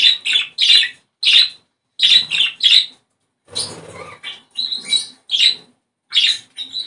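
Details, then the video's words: Budgerigar warbling used to bring birds into breeding condition: quick chirpy notes in clusters, a scratchy noisy stretch midway, then more bright squeaky phrases. "ESTIMULAR CELO !!! CANTO PERIQUITO AUSTRALIANO!!"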